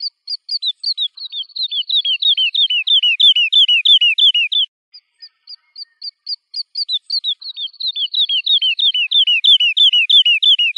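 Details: Woodlark song in two phrases, each beginning with spaced high notes that quicken into a fast descending series of clear, falling whistles, separated by a short quiet gap.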